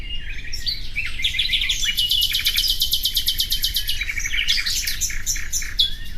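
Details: Common nightingale singing a long rapid series of identical clicking notes that builds into a rattling trill, framed by varied chirps and short whistled slurs, over faint background hiss.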